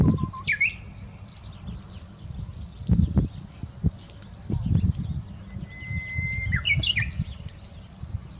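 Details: Japanese bush warbler singing earnestly, possibly still practising its song: a short low note and quick rising flourish, then a long steady whistle ending in a fast jumble of higher notes, over a constant low rumble.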